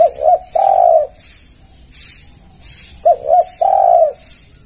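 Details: Spotted dove lure call, meant to draw other doves to respond: two phrases of soft, low cooing, each two quick short notes followed by one long, drawn-out, slightly falling coo, with a faint rhythmic hiss behind.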